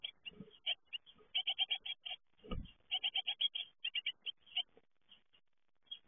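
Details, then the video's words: Fledging great tits utter irregular runs of sharp, raspy high chirps that thin out toward the end, with a couple of low thumps early on. "Uitvliegen koolmeesjes"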